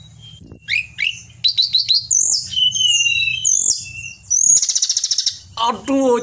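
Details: Captive pied bushchat giving a master song for training songbirds, with a rapid mix of high slurred whistles and clicks, then a buzzy rattling trill and a lower harsh chattering burst at the end.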